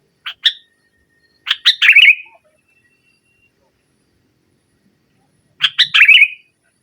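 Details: Sooty-headed bulbul in dominant 'nggaruda' song, played to spur a silent bird: two short chirps, a chirp series running into a bubbling trill, a long silence, then the same trilled phrase repeated.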